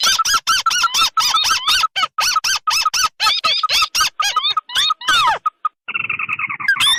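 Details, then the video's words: Combined crake lure of red and white tikusan: a fast series of squeaky arched notes that slows into scattered whistles and a downward squeal, ending in a buzzy churr. "Suara pikat burung tikusan merah vs putih"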